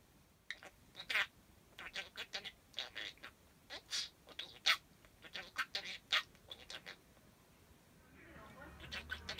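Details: Pet parakeet chattering imitated words, strung together like sentences it was never taught; rapid high, thin syllables in bursts through most of the stretch, with quiet gaps and a softer rustle near the end.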